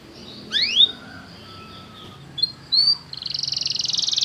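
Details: Canary song for training a canary to start singing: one or two quick rising slurred whistles, short chirps after a pause, then a fast buzzy trill to the end.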